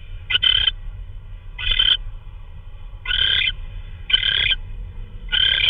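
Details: At a nest at 3:12 AM, March 16, 2013, an owl delivers prey, possibly a vole. Five short rasping screeches, irregularly spaced about one to one and a half seconds apart, with faint low hum.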